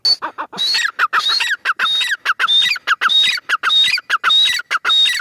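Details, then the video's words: Strident repeated calling from a female francolin: a high whistled note, then harsh descending notes, in a steady fast rhythm of about a hundred notes a minute. "madi teetar ki awaz"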